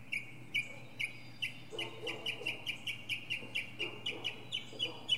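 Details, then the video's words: Northern mockingbird in song atop a pine tree, repeating one clear, even, mid-high note about three times a second with slight variations, over a low steady hum and some faint lower rustling sounds. "Northern Mockingbird goes thru his greatest hits!"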